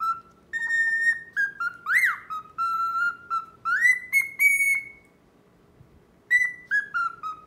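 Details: Courting male cockatiel calling to an indifferent female: a chain of clear whistled notes broken by two quick upward sweeps, then a pause of over a second before more falling whistles.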